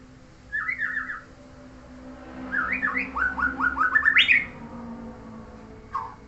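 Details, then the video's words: White-rumped shama (murai), a neighbour's bird, singing loud phrases of rapid, clear, rising whistled notes in quick bursts that climb higher at the end, with a brief short note after a pause. "Dasyat Burung Tetangga"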